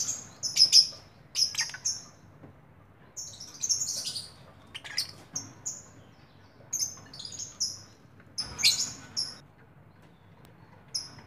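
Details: Lovebird giving shrill, high-pitched chirps and squeaks in short bursts, some doubled, scattered irregularly over about eleven seconds with brief quiet gaps between, against a faint low background hum.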